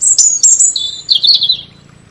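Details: Loud, close European robin song phrase opening with very high sibilant notes, then dropping into a quick run of liquid, tumbling warbles before fading to quiet.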